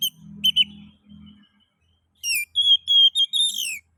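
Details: Oriental magpie-robin song meant to stimulate other magpie-robins to sing: a low hum and two quick notes at the start, then clear sustained whistles and a falling slurred phrase.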